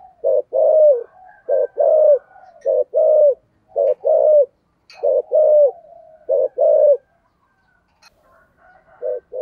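A spotted dove gives deep, hollow coos in short repeated phrases, each ending in a drawn-out falling note.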